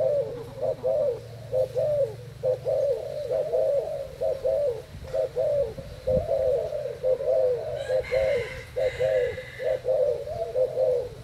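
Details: A caged Thai spotted dove, two days in a new cage, gives soft, low, throaty competition coos in a steady run, about one phrase per second; a brief higher chirping joins near the end.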